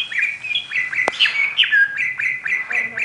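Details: Kacer pociku (oriental magpie-robin) in ngobra song: clear whistled notes repeated rapidly at a steady pitch, with a sharp click near the middle.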